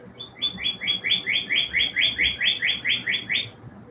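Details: Blue jay calling outdoors during a yoga class: a quick series of about thirteen squeaky, rising notes, roughly four per second, evenly spaced and bright, with quiet background.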